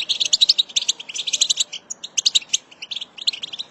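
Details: High, rapid chirping of a female European goldfinch, played to set goldfinches singing: crisp twittering notes in quick runs, with a brief lull just after two seconds.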